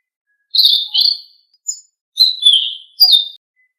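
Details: Blue-winged leafbird song for stimulating caged birds: short clear whistled notes given in two small groups, some slurred downward, in a quiet, clean recording.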